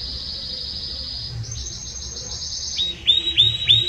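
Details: Belgian canary delivering a strong, warm song: a long, sustained high rolling trill that shifts up in pitch partway through, then drops into short repeated loud notes.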